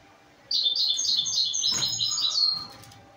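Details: Young pied goldfinch x canary mules singing, used to teach another bird: a dense high twittering warble lasting about two seconds, with a click partway through.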